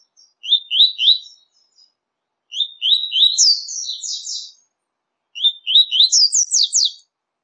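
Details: Double-collared seedeater singing, from a set of different songs for stimulating captive birds: three phrases, each with quick upslurred chirps leading into a dense, ringing high trill, separated by short silences.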